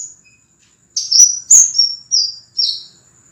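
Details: Clear whistled notes from a scarlet minivet, recorded as master audio for cage-bird training. A string of four or five high slurred whistles steps downward, with a thin steady high tone in the background.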